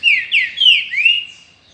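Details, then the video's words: Caged green-winged saltator, known locally as trinca-ferro or pixarro, in its 2019 season, singing a loud, rich whistled phrase of four slurred notes that dip and rise, lasting about 1.3 seconds before falling quiet. "Trinca Ferro ou Pixarro"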